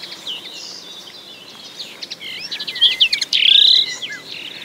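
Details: Common linnet song: soft twitters building into a louder burst of chirps and a drawn-out buzzy whistled note, followed by quieter warbling.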